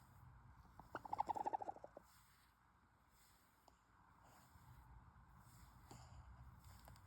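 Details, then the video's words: A Black Australorp hen gives a quick burst of soft, clucking notes lasting under a second, then falls quiet against faint background noise. "Hen making cute noises"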